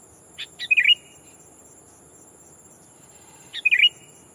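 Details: Sooty-headed bulbul as a trapping lure, calling a rival to lure wild birds: a pair of clicks and a bright, gurgling chirp, repeated once about three seconds later, steady faint high hum throughout.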